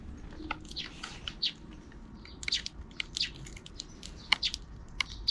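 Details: Afternoon chirping of sparrows out of view, short bright tweets in loose clusters, several overlapping, with faint low-frequency room noise beneath.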